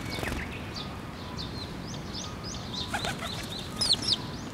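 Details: Sparrows flying in to take food from a post at a Tenmangu shrine on 12 May 2024: short, high, rising chirps scattered throughout, with a louder cluster of sharp chirps near the end over a steady low background hum.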